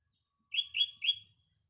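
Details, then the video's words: Sooty-headed bulbul singing in the morning amid green natural surroundings: three rich, slurred whistled phrases in quick succession, each about a quarter second long, then silence. "burung kutilang berkicau"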